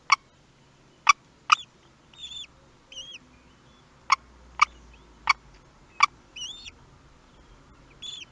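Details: At a kestrel nest in Théding, France, 18 May 2021, as the first chick hatched, nest webcam. Short arched calls come in scattered bursts between loud, sharp knocking clicks, over a faint low hum.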